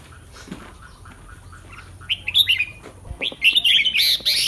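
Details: Caged red-whiskered bulbul before a singing contest: after a quiet start, a run of quick, rising, whistled notes builds into loud, busy warbling with shrill upper tones at the end.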